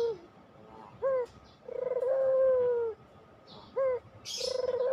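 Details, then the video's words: Barbary dove, pelung style, cooing to coax lazy doves into calling: short rising notes around a level, droning coo of about a second, with a burst of hissy noise near the end. "masteran puter pelung, 100% AMPUH pikat PUTER MALES BUNYI JADI GACOR MANGGUNG, PANCINGAN PUTER"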